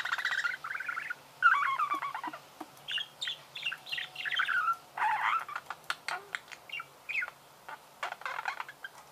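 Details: Budgerigar chirping indoors: lively chattering warble of short squeaky notes and clicks, delivered in irregular bursts one after another, the later notes sharper and more separated.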